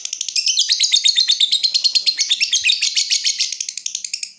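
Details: Lovebird in full ngekek, a long trilling song used as a lure so other lovebirds start trilling: a continuous, very fast, harsh and buzzy pulsing trill sustained for over four seconds without a break.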